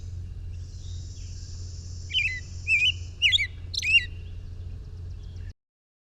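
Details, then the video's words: An American robin in Ohio sings four short, liquid caroling phrases about half a second apart, its typical song. A thin high whistle and a low steady rumble run underneath. "The American robin typically sounds like this."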